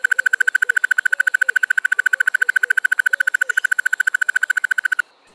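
A Crested Barbet's male song: a long, even, mid-pitched rattling trill of rapid pulses held steadily for about five seconds, with faint soft warbles underneath.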